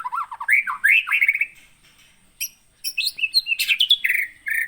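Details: Kept white-rumped shama, wild-caught in 2017 at Pining near Gunung Leuser, Aceh, delivering a fast trill, rolling warbles and harsh squawky notes, a brief silence, then a chattering burst of sharp, varied phrases.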